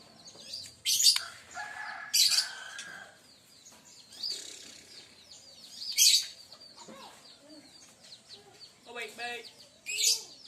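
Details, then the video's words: White-rumped shama, Aceh variety, during a first 'nyorong' bout: loud, harsh, very high bursts every few seconds, with jumbled chips, quick trills and downslurred whistles between them. Faint voice-like sounds sit in the background. "Murai Aceh # Nyorong pertama"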